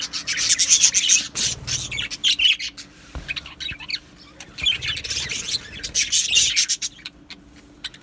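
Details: Many budgerigars in a colony aviary, recorded 12 July 2025, chatter in two loud waves of rapid high chirps and squawky warbles, separated by a quieter spell of scattered tweets.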